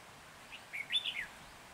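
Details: Decoy red-whiskered bulbul singing to lure wild birds into a trap in Hòa Bình, Vietnam, on 14 January 2021; one short burst of bright, warbling whistled notes jumping up and down, over quiet background hiss.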